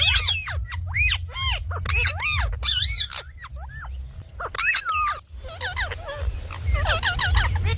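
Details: Indian ringneck parakeet, a talking pet bird, calling in loud harmonic arched squawks grouped in quick series, then softer wavering chatter toward the end, steady low background rumble.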